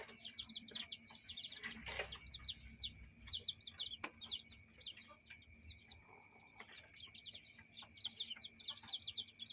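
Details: Hens and young chicks in a yard and henhouse. Busy, overlapping high peeping from chicks runs throughout, with a few sharp clicks and a constant thin tonal hum in the background.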